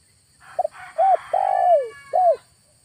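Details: August lure call of a spotted dove at a trapping site in a village: one mellow phrase of a clipped opening note, a bent coo, a long descending purring coo and a closing coo, over a soft rushing background.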